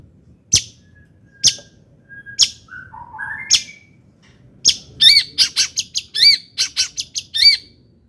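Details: Long-tailed shrike song used to provoke other shrikes into singing: sharp broadband clicks at about one-second spacing, a few short whistles, then a fast run of repeated harsh rising notes.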